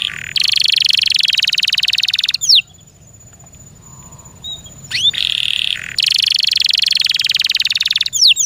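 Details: Kept canary singing two long, loud buzzy rolls of rapid repeated notes with a short pause between them. Brief upswept whistles mark the breaks between phrases.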